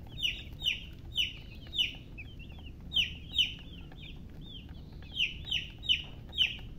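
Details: Chicks chirping in two bursts: a string of shrill, descending peeps, a short pause, then more peeps, all over a low steady background rumble.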